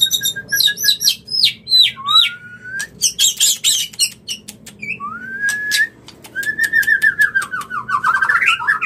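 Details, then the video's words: White-rumped shama song used as a lure to bring birds into mating condition: loud varied whistles, slurred rising and falling notes, sharp clicks and ticks, and a fast descending whistled trill near the end. "Suara pancingan murai agar Birahi Kawin"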